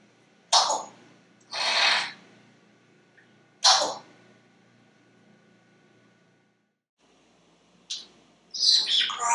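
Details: Captive male African Grey Parrot in a Texas home, imitating coughing and nose-blowing after its owner's coughing spell; several short, harsh, breathy noise bursts, a longer hissing blow, then quieter rasping sounds after a pause.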